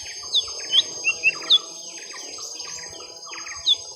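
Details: Lesser green leafbird, young, during a long fight with a rival: a handful of clear, high downslurred whistle notes in a quick series, then softer chatter and one last sharp note near the end.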